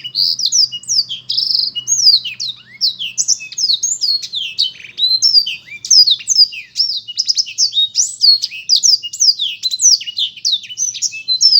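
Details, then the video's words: Black-throated canary pouring out a long, continuous song of rapid high whistles, sharp downward slurs and chirps, lively and unbroken for over ten seconds. "burung blektroat memang keren ....suaranya"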